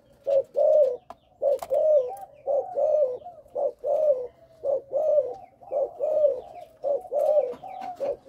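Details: Young caged Malaysian-line spotted dove, its coo described as stuttering over the first three notes: short low mellow coos in tight clusters, roughly one per second, with faint clicks indoors.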